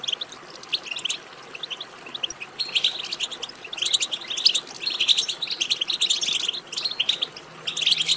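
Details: European goldfinch twittering for prompting goldfinch song: quiet scattered chirps at first, then sustained bursts of fast, liquid, high twittered notes and trills that carry on to the end.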